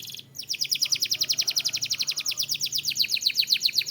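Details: Belgian canary song: one steady high trill of quickly repeated downward-swept notes, about eight per second, sustained for over three seconds after a brief pause.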